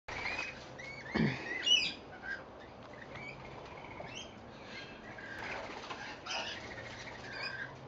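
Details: Rainbow lorikeets feeding on seed on a verandah in Victoria, Australia give scattered shrill, screechy chirps and chatter at irregular intervals, with bursts of wing flapping and a soft background hiss.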